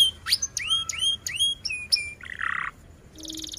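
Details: Canary singing a short passage of sharp upward-flicked chirps repeated about every third of a second, then a brief harsh rasping note and a quick high rattling trill.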